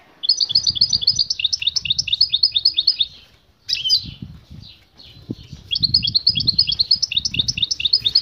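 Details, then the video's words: Female European goldfinch giving mating-invitation calls that prompt the male to sing. Long streams of rapid, high, bouncing twitter notes, broken by a short gap and a flutter-like burst, then resuming. Low background rumble throughout. "بتبتة أنثى حسون تجبر الذكر على مزاوجتها على الفور حين تغنى تلفت أنتباة الذكر ويبدأ بالغناء"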